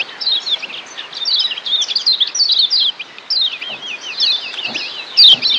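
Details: Kecial kuning from Lombok, the yellow white-eye, in a training song for turning ngeriwik into ngeplong: rapid high chattering phrases with slurred whistled notes, a brief pause near three seconds, and a loud sharp accent near five seconds.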